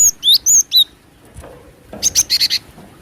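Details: Java sparrow, a female call used as a lure to attract other birds: three high whistled notes, then after a pause a quick burst of five clipped, bright chips.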